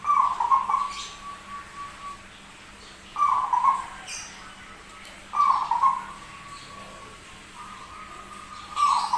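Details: Zebra dove with a rare, unusual-sounding voice, singing persistently: short bursts of rolling, slightly rough coos near one pitch, about a second long, recurring every two to three seconds over a steady faint background tone.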